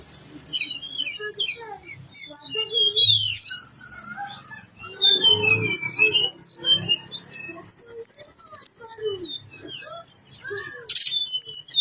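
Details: Tledekan gunung, the blue-winged leafbird, in long gacor song with isian: rich, varied whistled phrases, sweeping slurs and chattering bursts, pouring out almost continuously over about twelve seconds with brief pauses.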